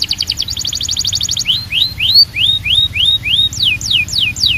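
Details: A Belgian canary sings to call the other canaries to sing, opening with a rapid chattering trill, then rising swept whistles and a series of steep falling whistles, each about half a second apart.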